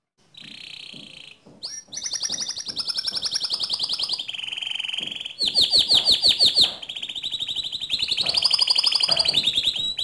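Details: Strong canary song to train other canaries: a sequence of fast rattling trills at shifting pitches, some high and bright, one lower and buzzy, separated by short sharp notes.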